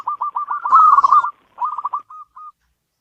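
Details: Local zebra dove kept in a house, giving rolling, staccato coos near one pitch in two bursts, the first louder with a harsh crackle, ending in short separate notes.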